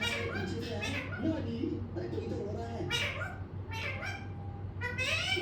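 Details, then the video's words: Pet parrot talking, giving a string of short, shrill, harmonic speech-like squawks and chirps, some rising and some falling, over a steady low electrical hum. "Mittu Ne Bol Bol kar Pkaa Diya"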